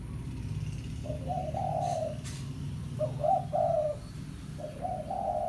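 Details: Spotted dove of the pesom type giving a lure call to summon a rival: three soft hooting coo phrases, each a short note then a longer rolling coo, about two seconds apart, over steady low hum and rumble.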